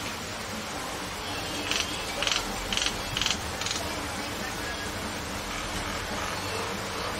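A common myna gives five harsh, rattling chatters, about two a second, over a steady hiss of background noise.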